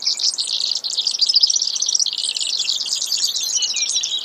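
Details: Continuous, buzzy, high-pitched trilling from a Brewer's sparrow, unbroken for the whole stretch with a quick rattling texture.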